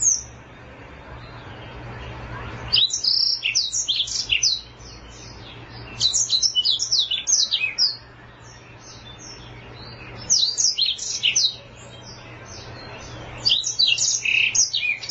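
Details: African black-throated canary singing in long unbroken bursts of rapid, high chirps and trills that rise and fall in pitch, each burst lasting a few seconds with brief pauses and a steady low hum behind.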